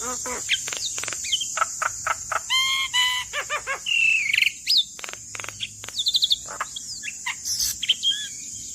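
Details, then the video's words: Javan myna in full song for training cage birds, mixing short clicks, stacked harmonic notes, a wavering whistle and quick chattering phrases over a steady high hiss. "Masteran Burung Jalak Kebo Gacor"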